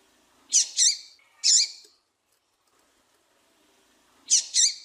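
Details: A female double-collared seedeater calls to provoke males into song: a quick pair of high, bending notes, then a single note, a long pause, and another close pair at the end.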